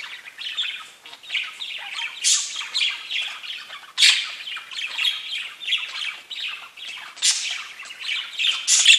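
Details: Pet budgies chirping together: a dense, continuous chatter of scratchy, warbling notes with sharper squawks bursting out around the second, fourth and seventh seconds, several birds overlapping throughout.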